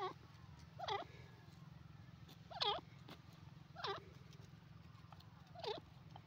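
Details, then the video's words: Grey francolin, known locally as irani or dakhni teetar, giving loud, ringing calls with rising, harmonic notes. Four separate bursts come at uneven gaps of one to two seconds over a steady low hum. "grey francolin teetar sound,irani teetar sound"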